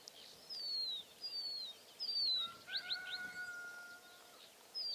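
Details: A rock bunting sings from cistus (Cistus ladanifer) scrub on barren, rocky ground: thin, high, downslurred notes, about one every second; a steady lower whistle and quick upswept notes, likely a corn bunting, sound briefly midway.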